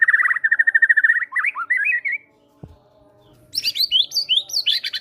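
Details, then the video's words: A prolific fighter white-rumped shama unloads great tit imitations to prompt reluctant birds into song. It opens with a fast, even trill of repeated notes and then a few swooping whistles. After a short pause, high, scratchy, chattering phrases follow. "PANCINGAN MURAI BATU FIGHTER GACOR BONGKAR MATERI GELATIK BATU"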